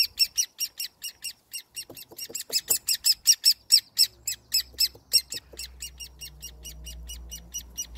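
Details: An orphaned great spotted woodpecker chick being hand-fed on 30 May 2020, its parents having disappeared, gives harsh, high, insistent chips, about four to five a second, fading as a low rumble of handling noise comes in.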